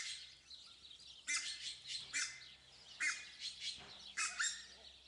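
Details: Red-breasted geese kept at a zoo in Upie, Drôme, France: loud, harsh, yelping calls in four separate bursts about a second apart, with brief quiet gaps between them.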